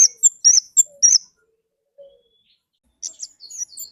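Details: Orange-headed thrush, kemade ngalas, singing: bright high whistled phrases in quick bursts for over a second, a pause with one soft low note, then a second run of sharp twittering notes.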